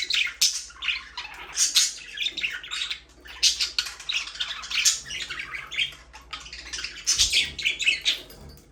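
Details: Pet parakeets give a steady jumble of chattering chirps, chattery warbles and sharp squeaks overlapping in quick succession, with a soft thump near the end.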